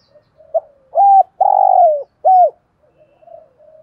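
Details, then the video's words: Decoy spotted dove in the prized 'giọng thổ' voice style, calling to stir wild doves into cooing: one three-part coo, a short low note, a long sliding middle note and a clipped final note, with soft murmurs between. "Chim Cu Mồi, cu gay giong tho cuc dinh"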